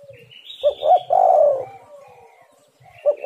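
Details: Spotted dove calling strongly, used to lure other birds into song. One low phrase: two short hooting notes, then a drawn-out descending coo. A fresh phrase begins at the end, over faint whistles from other birds.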